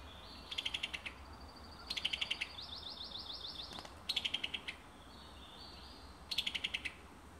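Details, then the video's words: Summer tanager in Alabama repeating rapid bursts of six or seven sharp ticking notes about every two seconds. A thin, rising buzzy phrase is heard between two of the bursts. "Beautiful Summer Tanager Songs"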